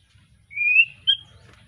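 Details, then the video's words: Recently moulted juvenile white-rumped shama of the Arko Tangerang strain, Petarukan, Pemalang: one clear, thin, rising whistle, then a short higher note. "Kicau Murai batu lepas trotol,suaranya heboh"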